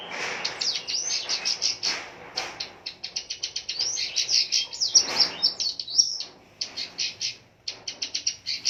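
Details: Caged long-tailed shrike, a fighter bird in full song, pours out dense rapid strings of high chirps and arched whistled slurs, with quick rattling series and brief pauses between bursts.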